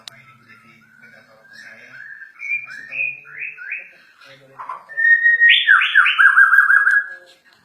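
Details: White-rumped shama of the Borneo type, described as agitated, sings a string of varied whistled phrases with slurred rising and falling notes. The phrases are soft at first, then turn louder, richer and faster in the final seconds.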